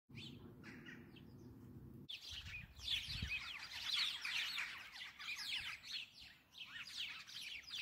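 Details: A flock of at least 30 house sparrows in their favourite bramble bush chirps and cheeps at once, a busy overlapping chatter of short, bright notes with no steady rhythm.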